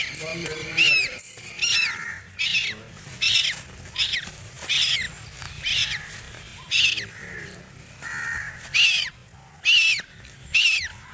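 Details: Frightened duckling screaming in distress, giving a long series of shrill, downward-sliding peeps about once a second, loud and insistent, with quieter murmuring and low background noise between calls.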